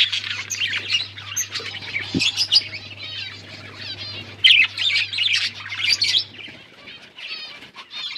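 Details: Breeding budgies in a colony chatter steadily with wavering warbles and quick chirps, one sharp click near two seconds, and a low hum that fades out toward the end.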